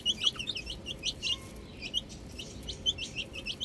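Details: Chicks of chicken, playing with a ball, give a short burst of high, piping peeps, several overlapping at once, loudest at the start, above a low background murmur.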